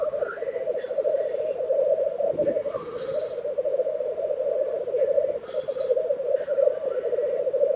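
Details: Black grouse lekking in Tiveden, Sweden, April 2023; a steady, throbbing, low-pitched rookooing chorus runs throughout, with a few scattered hoarse hisses and sneezing notes above it.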